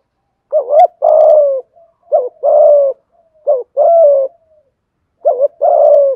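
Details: Spotted dove cooing thúc gù in a deep 'thổ', 'hạp bổi' voice: four rapid phrases, each a short wavering note and a longer falling coo, repeated roughly every one and a half seconds, with a few faint clicks.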